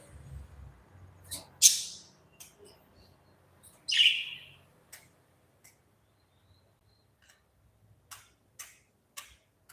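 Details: Budgerigars in a cozy indoor aviary: two loud, sharp chirps sweep downward a few seconds apart, followed by faint ticking clicks and a quiet low hum in the background.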